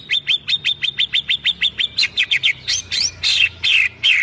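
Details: White-rumped shama, kretekan song for provoking other birds, 24 January 2023: a quick evenly spaced run of about fifteen sharp downslurred notes, then longer loud slurred whistles.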